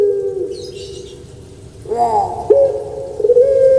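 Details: Caged puter pelung dove from Indonesia, a type famed on Java for its voice, starting with soft low cooing, then a sharp rising break into a long, steady, resonant held note.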